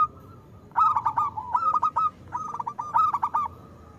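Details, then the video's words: Local zebra dove with a strong voice, used to coax other doves: two closely spaced phrases of quick staccato coo notes with rolling endings. "Perkutut lokal gacor Suara Besar Pancingan Untuk Perkutut Susah Bunyi"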